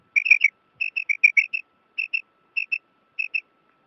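A female common quail calls in short, high, clipped notes, mostly in pairs, repeated about every half second, over a faint steady electronic hum.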